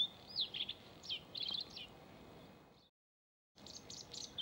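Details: A male Bluethroat sings bursts of high, varied chirps and twittering notes, with a brief silent gap before the song resumes.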